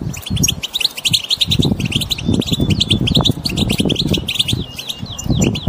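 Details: Flock-style chattering of wild European goldfinches, used to stir a mute goldfinch to sing: dense high chirps and twitters tumble over one another steadily, with a rumbling low noise bed throughout.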